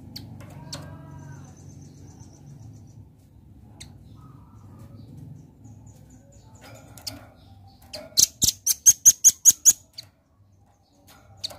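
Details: Velvet-fronted nuthatch giving a lively burst of about eight sharp, very high ticking notes in fast, even succession near the end, after several seconds of low rumbling background noise and a few faint clicks.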